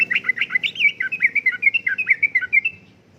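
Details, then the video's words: Sooty-headed bulbul in energetic 'gacor' uplik-uplik style song, used as a lure and tutoring recording for caged birds: a rapid chattering run of bright, bubbly notes, about six per second, lasting nearly three seconds over a low background hum. "Kicauan Suara Burung Trucukan Gacor Uplik Uplik,Pancingan Trucukan Gacor,Masteran Trucukan"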